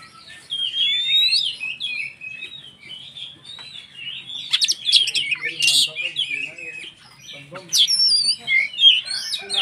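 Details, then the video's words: A white-rumped shama, sung to incite other shamas, pours out a varied stream of whistles, slurred notes and harsh chatters, with brief quieter stretches between louder bursts. "SUARA BURUNG Kacer gacor untuk PANCINGAN KACER agar EMOSI dan KONSLET"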